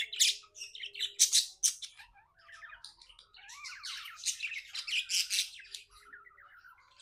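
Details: A contented pet budgie delivers loud high squawks followed by a long run of rippling, warbled chatter with wavering whistled notes, indoors.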